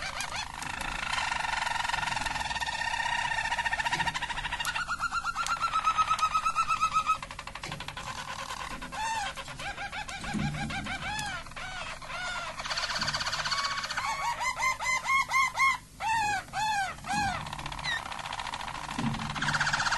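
A Harz Roller canary sings a long, continuous song of rolling trills and soft warbled phrases.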